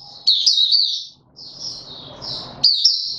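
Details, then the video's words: Caged male white-eye in opening song, 31 December 2021: brief bursts of high, slurred twittering separated by a quieter gap with rustling and low background noise. "Mata Puteh - Raja V2 Pushing him on form buka sing"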